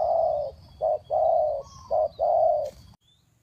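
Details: Spotted dove calling to lure birds down, in the three-kuk-hoi style: low hooting coos, long sustained notes alternating with short ones, with a faint low hum underneath and a brief high click near the end.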